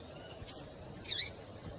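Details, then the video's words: Female Double-collared Seedeater (coleiro) calling, used to stir a male into singing: two brief, very high, thin chip notes about half a second apart over a quiet background hiss. "fêmea de Coleiro Chamando Muito para Esquentar Coleiro"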